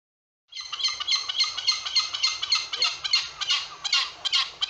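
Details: Gull in St Stephen's Green park, Dublin, at noon on 3 January on a fine, clear, unusually mild winter day, crying insistently, perhaps hungry, with harsh, raspy squawks in a rapid, uneven series of about three to four per second.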